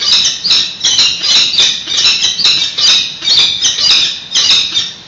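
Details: Live webcam at a San Francisco peregrine falcon nest, nest exchange on 28 May 2017: continuous loud, grating high calls in rolling pulses about twice a second with no real pause.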